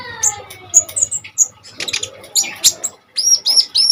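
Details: Common iora singing hard, used for training and luring kolibri ninja birds; scattered high whistles and chips, a busy chattering stretch, and three bright whistled notes at the end.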